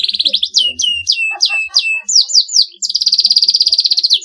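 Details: Canary song aimed at rivals: repeated sweeping whistles dropping in pitch, a few quick rising notes, then a loud fast rattling trill, with faint low background sounds.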